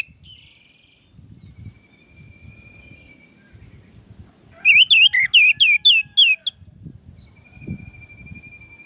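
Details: Orange-headed thrush singing actively, kept as a tutor and lure recording to draw answers from other birds: after a quiet start with low rumble, a loud run of about eight quick slurred whistled notes lasts under two seconds, then faint noise returns.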